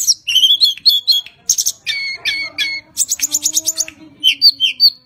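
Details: Tledekan gunung, a Javan cage songbird used to stimulate other birds, sings a lively medley: warbled high notes, clipped chirps in pairs, a rapid string of high ticking notes, and slurred whistles at the end.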